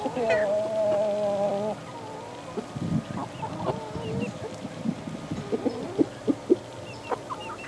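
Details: Several 11-week-old chickens, mixed breeds such as ISA Brown, Barred Rock, Speckled Sussex and Australorp, kept in a play pen: a drawn-out wavering peep, followed by low murmuring clucks and sharp short chirps.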